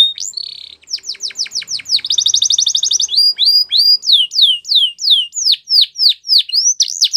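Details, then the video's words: Canaries singing a fast, varied song: a buzzy rattle, rapid high trills, a dense chattering roll, then a run of loud swooping down-slurred notes repeated about three times per second. "Canaries Singing"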